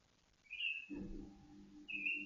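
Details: Caged white-rumped shama set out for dew-airing to steady its mood and breeding drive: two clear, high whistled notes about a second apart, with a short burst of low rumbling noise between them.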